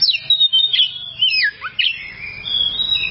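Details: Kacer song from a masteran recording. Clear whistles glide and bend, a few notes dip sharply downward, and the song ends in a long, level high whistle.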